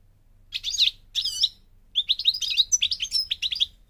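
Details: European goldfinch, parva subspecies from Morocco in North Africa: two brief buzzy, twanging phrases, then a quick tumbling series of tinkling chirps and slurred whistles, high-pitched and energetic.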